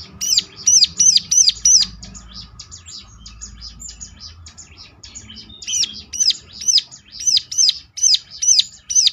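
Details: Bar-winged Prinia song used to provoke others into singing back: rapid high arched chirps at the start, a softer scratchy chattering stretch, then a fresh run of loud, evenly repeated sharp notes.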